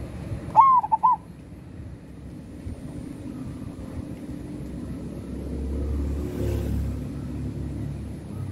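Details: A single short phrase of rapid, warbling coos from a local zebra dove singing energetically near the start, then only low rumbling background noise, possibly traffic, for the rest.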